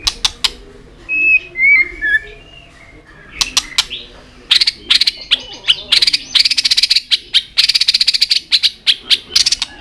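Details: White-rumped shama giving soft whistles followed by a long run of harsh, rapid chattering and clicking notes repeated in quick succession.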